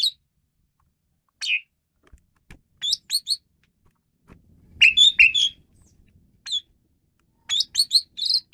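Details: Asian pied starling (Gracupica contra), song.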